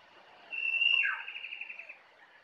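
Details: Jongkangan in forest at Kintamani, Bali: a sustained high whistle slurring downward, followed by a rapid, evenly spaced trill of about ten notes fading out, with quiet forest ambience.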